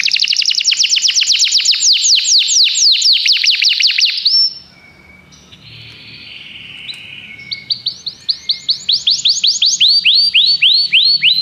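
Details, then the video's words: Common canary singing a fast high trill of descending notes, a brief quieter mixed passage, then a renewed series of swept whistles. "Canários cantam"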